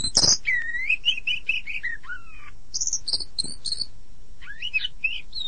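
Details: Oriental magpie-robin (kacer) song: a loud sharp opening note, then a series of repeated whistled notes stepping downward, a brief pause, and high thin squeaky notes with short slurred whistles.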